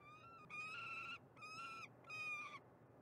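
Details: Three loud, drawn-out, rasping wails from a female peregrine falcon in Montreal, Canada, each about half a second long with rich harmonics and a slight fall at the end, against quiet background.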